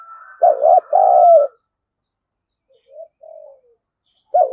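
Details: Decoy spotted dove provoking wild birds to fight; a loud two-part coo over a faint steady whistle-like tone, then soft short coos after a silence, and another loud coo beginning.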